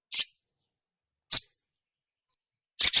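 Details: Female ruby-cheeked sunbird calling the male: three short, high, thin chirps spaced more than a second apart, with the last one doubled, over a silent background.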